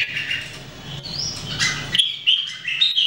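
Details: Three red-whiskered bulbuls, kept and trained to sing daily, recorded in 2018. A low rumbling hum comes first, then clear whistled phrases with short rising and falling notes.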